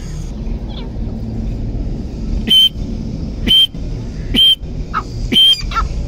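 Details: Four separate shrill whistled notes, each about a second apart, standing out against a quiet, humming rural background.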